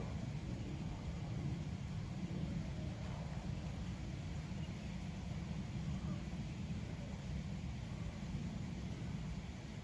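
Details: Low steady engine-like rumble with broad wind noise throughout and no distinct animal calls.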